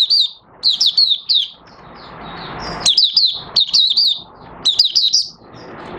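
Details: Oriental white-eye kept in a cage, singing openly after a three-month study of night sleep with its cloth open. Clusters of bright high chirping whistles come in quick bursts, separated by short gaps of hissing background noise.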